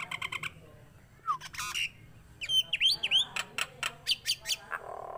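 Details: A tame, vocal Nias hill myna mixes short harsh bursts with sliding whistles. Quick upward-swooping whistled notes are followed by a rapid string of clipped, ringing calls.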